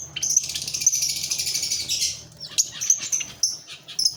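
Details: Lovebird singing, a fast, dense stream of high buzzy chatter and twittering for about two seconds, followed by broken squeaky notes and short chirps over faint low hum.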